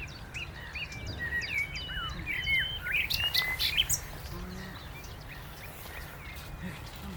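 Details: A common nightingale sings a rich, varied run of whistles, chirps and quick slurred notes at Cliffe Pools RSPB reserve on 18 April 2022. A wren, a blackbird, black-headed gulls and snippets of a chiffchaff can be heard in the background.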